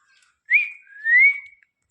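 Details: Pet parrot at home, billed as a talkative bird that talks in Hindi, gives two clear whistles: a short one rising and then holding steady, and after a brief pause a longer one that slides slowly upward and levels off. The room is otherwise quiet.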